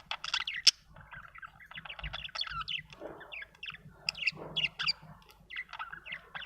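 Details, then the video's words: A budgie chirps and warbles steadily, stringing scratchy high notes into a continuous chatter with a single sharp click early on. "budgie chirping sound"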